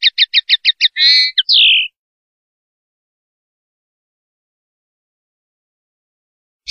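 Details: Male common linnet perched to sing in open country: six quick chirps, then a rich twittering flourish ending in a drawn-out slurred whistle, followed by a long silence.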